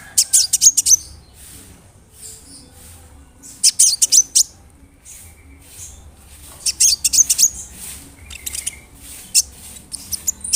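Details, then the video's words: Lure song of a big-bodied brown-throated sunbird meant to provoke rival sunbirds: bursts of rapid, very high sharp notes every few seconds, separated by quiet pauses, with a faint low hum behind. "PANCINGAN KONIN GACOR BODY BIG SUARA NYES BIKIN KONIN LAIN TAMBAH EMOSI"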